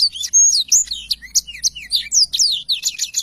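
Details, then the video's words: Black-throated canary pouring out a dense, unbroken stream of high twittering, whistled slurs and chirps. "blacktroath gacor cocok untuk masteran"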